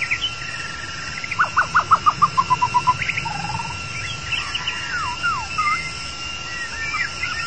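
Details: White-rumped shama, long-tailed form, singing in a recording used to lure the bird: a rapid descending series of about ten loud, clipped, repeated notes, then assorted sliding whistles. A constant tone and a high insect drone sit behind it.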